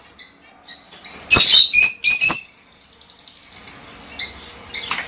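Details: A lovebird call aimed at stimulating a female to lay eggs. A soft, high twitter leads into three loud, harsh chirps, which then fade into quiet squeaky chatter.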